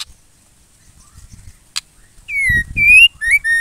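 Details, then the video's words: Female white-rumped shama calling to get males singing. After a faint rumble and one click, four loud, rasping notes come out, falling then rising, over low background noise. "MURAI BETINA GACOR AMPUH MENCETAK MURAI LAIN JADI GACOR"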